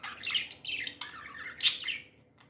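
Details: Pet budgerigars chirping happily: a rapid jumble of bright, scratchy warbles and squeaks, with a louder sharp burst near the middle, then trailing off into quieter chatter.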